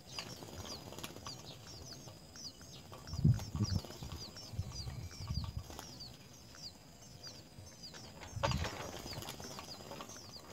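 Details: Three young house sparrows in the nest beg while mother and father bring food: a steady stream of high, short chirps, many in a row, over low thumping and bumping sounds near the nest.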